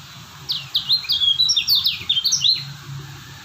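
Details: A lemon-bellied white-eye from Lombok delivers a quick, tumbling phrase of thin, high downslurred whistles run closely together, ending abruptly, with a low droning hum beneath.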